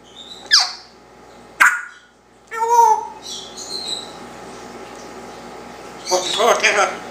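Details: One-year-old male Congo African grey parrot kept indoors as a pet, talking about his tail, kisses and dog; sharp falling squawk-like syllables, then a harmonic speech-like phrase and a rough burst of chatter near the end, in a quiet room.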